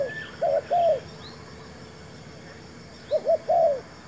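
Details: Spotted dove decoy, a new bird used in luring wild doves to a new trap: two cooing phrases, each of quick short notes ending in a longer, arched, throaty coo, separated by a quiet stretch.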